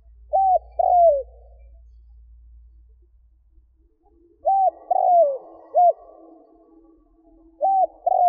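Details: Spotted dove cooing to draw in wild doves. Paired coo-croo phrases repeat, each a clipped flat note followed by a drawn-out descending one, a short extra coo after the middle phrase, over a faint low drone.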